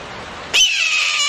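A hawk gives one hoarse, rasping scream that starts abruptly, runs high and sags slightly in pitch over less than a second, after a faint hiss.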